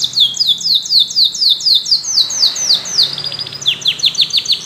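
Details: A yellow canary repeats a rhythmic series of loud, downward-sweeping high notes about four per second. These shift into shorter clipped chirps.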